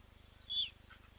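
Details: At a nest where leucistic blacksmith lapwing chicks hatched within the last day, filmed by a webcam: one short, high, clinking note, then a faint softer chirp, over a low electrical hum.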